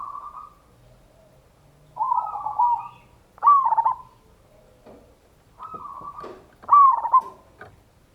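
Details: Local zebra dove, a loud-voiced lure bird, giving ngayer kerot nutut song to provoke other doves to sing: four rolling, mid-pitched cooing phrases, each with a fluttering trill and a bright accented note, spaced roughly every one to two seconds.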